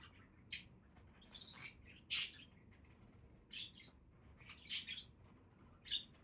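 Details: Budgerigars calling with sharp, high chirps and short warbled bursts, spaced irregularly about a second apart, some louder notes standing out over a soft background hiss.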